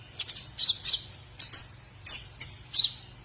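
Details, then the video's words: Murai batu, the white-rumped shama, on a training recording that teaches other birds its song: crisp, high, clipped chirps grouped in short pairs and triplets about every half second, over a low constant hum. "masteran murai batu isian terbaik buat jurii"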